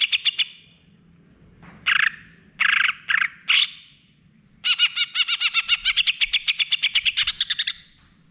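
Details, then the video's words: Singing greater green leafbird used as a lure for a bird that has stopped singing: a few separate bursts of harsh chirps with gaps, then a sustained rapid volley of bright repeated notes lasting about three seconds. "suara pancingan cucak hijau macet bunyi"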